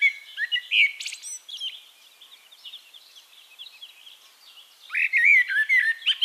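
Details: Singing Eurasian blackbird recorded in Castricum, the Netherlands. A mellow warbled phrase begins, then softer twittering, then a second strong burst of rich, rolling whistles near the end. A dense high-pitched chorus of other small birds runs throughout.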